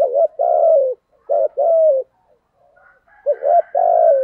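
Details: Spotted dove cooing in the Vietnamese 'thổ' voice style with a forceful, pressing delivery: low, rough coos in linked pairs, a short note then a long drawn note, repeated three times with brief pauses between.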